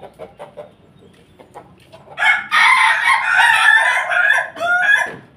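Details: Crossbred Pelung and Bangkok rooster: faint soft clucks at first, then a loud sustained crow of about three seconds, rich and harsh, wavering in pitch before a final rising note.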